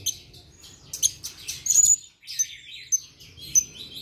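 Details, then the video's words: A male Sumatran blue-crowned hanging parrot, recorded 16 July 2021, answers a lure at once with very high, thin, sharp chirps and short trills, in quick runs, then spaced notes about every half second. "Serindit / Srindit gacor , pancingan langsung nyaut"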